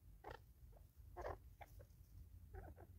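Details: Several Natal spurfowl fighting over a meal, South Africa, 2024: three brief harsh, raspy squawks with quieter clucks between them, above a constant low hum.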